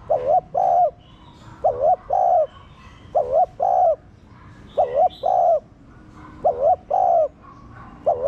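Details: Spotted dove, a captive bird, cooing in the style used to stimulate other caged doves: loud paired coos, a short wavering note followed by a longer steady one, repeated about every 1.5 seconds, with faint higher chirps behind.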